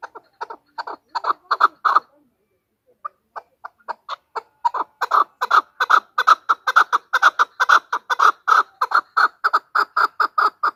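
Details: Female chukar voice used to lure birds for hunting: rhythmic clucking chuck notes that pause briefly after two seconds, then resume and build into a fast, loud, steady series of repeated doubled notes.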